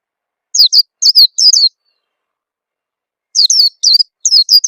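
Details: Lure call of a white-eye to prompt birds to sing: two groups of quick, piercing chirps that slide downward, roughly three to four notes per second, with silence between the groups.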